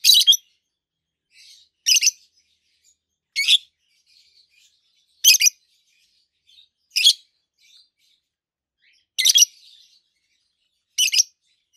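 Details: Adult pair of green peach-faced lovebirds, one red-faced, one yellowish white-faced, calling repeatedly: sharp shrill chirps, some doubled, about every one and a half to two seconds, with faint soft chatter between.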